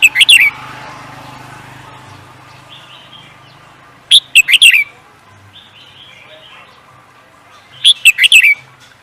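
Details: Songbird kept for singing competitions, where winning birds fetch higher value, gives short bursts of sharp high chirps and trills about every four seconds, with soft, lower warbled notes between bursts and a faint low hum underneath.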